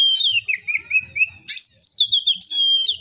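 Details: Continuous oriental magpie-robin song, relaxed and clear, meant to set other magpie-robins singing: sliding whistles rising and falling, a harsh upward sweep in the middle, then ringing sustained notes and chattering trills.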